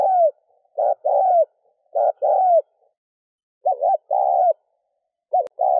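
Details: Spotted dove cooing to excite a decoy bird: paired hollow coos, a short note and a longer descending one, given in bursts separated by pauses of about a second, some short notes slightly wavering.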